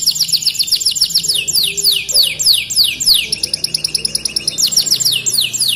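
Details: Caged canary trained with ciblek gunung song as its model, singing fast, even series of high downward-sweeping notes, several per second, with a fainter high ticking trill in the background.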